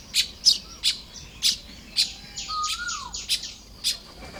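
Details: Nest-building Baya weavers on a May 2026 morning in Lopburi, Thailand. A quick run of high, ticking chirps blends into buzzy chatter, with a long, gliding whistle that swells and then drops in the middle.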